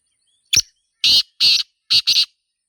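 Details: Wild black francolin, locally Sindhi teetar, in a natural environment. A brief clipped opening note is followed by four grating, buzzy bursts, the final two almost joined. Almost nothing else is audible.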